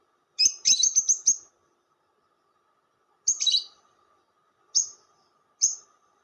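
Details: Lovebird chatter used as a lure recording: one rapid, raspy run of stuttering notes lasting about a second, then after a pause a few short buzzy chirps spaced a second or so apart; faint constant hum behind.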